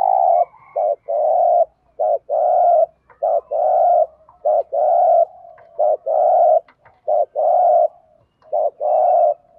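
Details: Steady 'thúc gù' cooing of a spotted dove in 'Thổ' voice, kept as a decoy for bird trapping: alternating short and long deep hollow coos in an even rhythm, about ten notes in a row.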